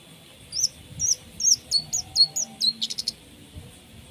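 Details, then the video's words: Long-tailed shrike delivering 'tembakan' song with 'isian' filler, used as a tutor for contest songbirds: a run of very high, quickly falling whistled notes, about two per second, ending in a dense rapid burst. "cendet gacor full tembakan 🔥 isian"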